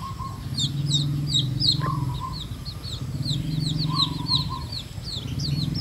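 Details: Wild-type red junglefowl hen bringing her young to find food. The chicks keep up rapid, high, slurred peeps, some rising and some falling. Brief mid-pitched hums and a continuous low rumble sound behind them.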